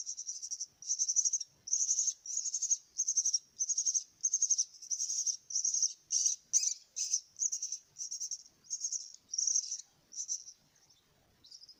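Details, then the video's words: Myna nestlings at feeding time give a steady series of high, raspy begging bursts, each about half a second long, repeated roughly every half to two-thirds of a second. "kasih makan anak burung jalak"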